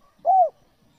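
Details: Spotted dove (tekukur) cooing, a recording used to lure wild doves: one soft, low, hooting note about a third of a second long that arches gently up and then falls away, with a quiet background.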